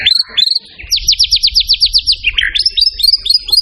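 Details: Champion white-rumped shama song from a training recording for songbirds. Two rising whistles open into a quick run of about a dozen repeated looping notes, then a lower slurred phrase and a string of clipped high whistles.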